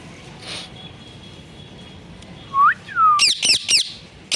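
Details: Talking parrot, said to say 'mummy papa': two whistled, speech-like syllables, one rising and one falling, lead into three loud, rapid, harsh descending squawks.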